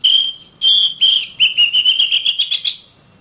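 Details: Oriental magpie-robin (kacer) training song for caged birds, best used in morning or evening: a long pure whistle, then a rising series of rapid ringing notes speeding up before fading.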